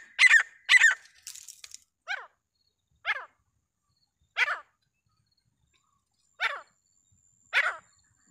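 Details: Grey francolin giving a series of loud, harsh calls. Two close notes with a brief rattle open the clip, followed by single descending calls every one to two seconds.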